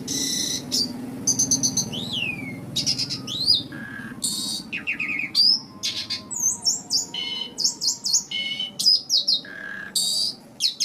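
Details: Asian pied starling (jalak suren) song played to lure nervous starlings: varied medley of harsh buzzy squawks, rapid rattles, swooping whistles and sharp downslurred notes in quick succession.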